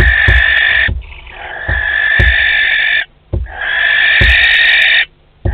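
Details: Long rasping hisses from a barn owl pair at their nest box, Théding, 12 May 2020, accompanied by dull thumps and knocks between and beneath the calls.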